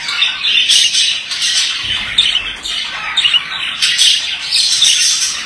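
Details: Continuous gritty warbling from a male budgerigar: squawks, chirps and clicks tumbling together in uneven phrases, with a soft low bump near the middle.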